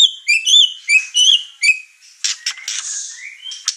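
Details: Over-excited white-rumped shama singing, stirring up the other birds in the house: clear whistled phrases with rising and falling notes, followed by harsher buzzy, scratchy notes and a short upslurred whistle.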